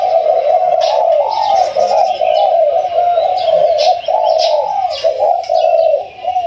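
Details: Captive Spotted Dove, caught only one to two weeks ago and called a mid-to-large-voiced bird, gives a near-continuous run of low, throaty, wavering coos with brief dips between notes, while thin high chirps sound in the background.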